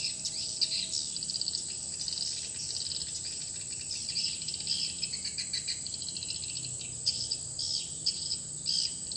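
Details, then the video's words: Swiftlet house with its new calling sound: long stretches of rapid, scratchy high twitters broken by a few brief gaps, with a steady hiss underneath. "Selesai penggantian suara panggila baru rumah burung walet (RBW)"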